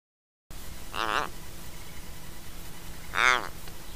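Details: Australian Little Raven at Mannum, South Australia, caught on a trail camera, fluffing its head feathers and ruffling throat hackles while calling: two short, harsh, creaking notes about two seconds apart over a low rumbling background.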